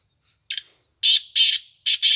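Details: Black francolin call: a short rasping opening note, a pause, then four loud, harsh, buzzy notes in a rhythmic series, the last two close together; clean background.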